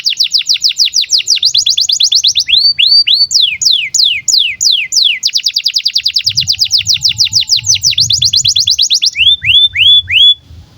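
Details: Canary in breeding condition, song for training young birds: long rapid trills of descending sweeps broken by slower curved whistled phrases, ending with a few upslurred notes.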